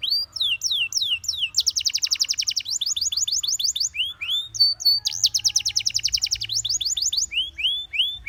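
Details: Gloster canary song meant to coax companion canaries into singing, made of fast rising whistled notes, two long buzzy rattling trills, clipped chip series and downward slurs, delivered in an unbroken, energetic high-pitched stream.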